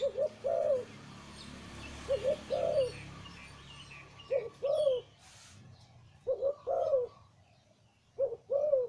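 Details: Breeding male zebra dove with a deep voice, singing in the Thai Liu Tan style: mellow, bubbling cooing phrases of two to three rolling notes, repeated in short bursts with brief pauses between.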